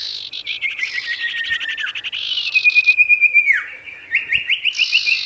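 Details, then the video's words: Emotional gacor sirtu singing aimed at wild birds: a quick warbled run, a pulsing level whistle falling sharply at its end, then a string of short rising chirps. "SIRTU GACOR BIKIN EMOSI BURUNG LIAR | Full Variasi Alam"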